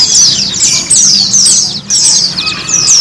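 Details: White-eye therapy song meant to get kept white-eyes singing: fast, high, descending twittered phrases roughly every half second, continuous and loud, a brief pause near the end, with a soft low hum underneath.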